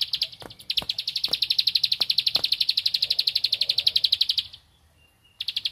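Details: Bar-winged prinia (ciblek padi) seeking a rival, with a fast 'tembakan ngempel' burst: a rapid stream of high, dry chip notes about four per second, a short pause, then the chipping resumes.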